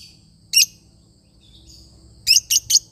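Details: Lovebird parrot giving one sharp high chirp, a quiet pause, then three shrill chirps in quick succession.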